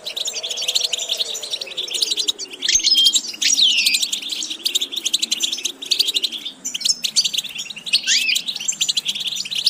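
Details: Rapid, liquid goldfinch song from a training recording for varied vocal repetitions: unbroken high twitter with occasional sweeping whistles and buzzes, softly backed by a slowly wavering low tone.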